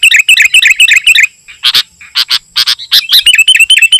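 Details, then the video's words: Sooty-headed bulbul song, used to lure wild bulbuls and to tutor caged birds: rapid bubbly repeated chirps, a pause of harsh burry notes, then resumed quick cheerful phrases, loud and close. "Suara Burung KUTILANG GACOR Ampuh Untuk Panggilan Kutilang Liar dan Cocok Untuk Masteran"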